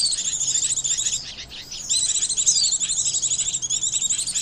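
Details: High, thin twittering chatter of Oriental white-eyes, played as a lure for trapping birds; a dense run of rapid chirps, a short lull around one and a half seconds, then the chatter resumes.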